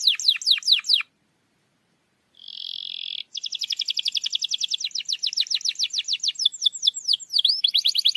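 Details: Canary song played to start a quiet canary singing: descending chirps, a pause, a short buzzy trill, then a long fast roll of repeated high notes with looping whistles near the end.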